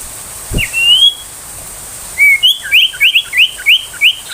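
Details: Rapid 'tembakan' song of an ashy tailorbird, used for tutoring young tailorbirds and magpie-robins. One long rising whistle comes first. After a pause, a quick run of bright, upslurred, chip-like whistles follows, about three per second.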